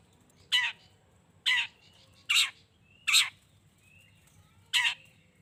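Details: Lure recording of a vigorously calling long-tailed shrike meant to provoke rivals to reply; five scratchy, buzzy bursts about a second apart, with quiet gaps and a soft background drone.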